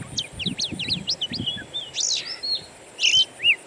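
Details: Played to coax a caged Oriental magpie-robin into song: a rapid burst of sharp upswept notes, a drawn whistle, then two loud harsh buzzy notes and a final short whistle, with light background hiss.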